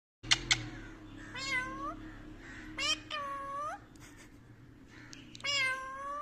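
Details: Pet Indian ringneck (rose-ringed parakeet), a talking parrot copying voices, gives a series of drawn-out, meow-like wails that bend up then down. Two sharp clicks open the series, over a steady low indoor hum.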